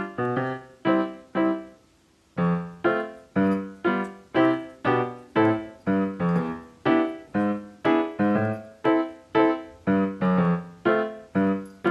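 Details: Steady piano or electric keyboard music plays notes in a regular rhythm, with no animal sounds heard.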